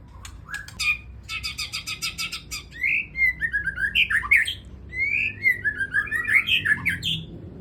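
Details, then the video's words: Captive adult white-rumped shama from breeding stock, post-moult and singing vigorously: a rapid burst of harsh chattering notes opens, then loud varied whistled slurs rising and falling in quick succession, rich and continuous; faint low hum behind. "Murai Batu Pasca Mabung Dorong Ekor Langsung Gacor"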